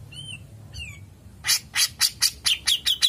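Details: Grey-cheeked bulbul in full song, called a long 'ngepik' delivery: two soft, upslurred whistles, then a loud, even run of about eight harsh, rasping notes at a brisk, steady pace.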